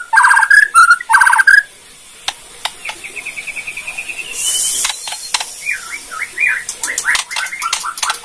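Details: Bornean white-rumped shama in kretekan song, aimed at provoking other shamas: loud whistled bursts at first, then a soft rapid rattling trill, a brief hiss, and a run of repeated curling whistled notes with clicks.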